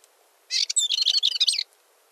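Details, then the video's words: Balearic warbler giving a brief, dry, buzzy warbled phrase of rapid high notes with a slightly harsh edge, just over one second long. Faint low background hiss. "Curruca balear (Sylvia balearica) Canto"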